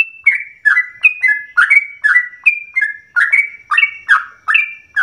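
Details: Yellow-vented bulbul song played to provoke other bulbuls to sing at length; a clear whistled opening, then rapid gurgling slurred notes, rising and falling, repeated without pause.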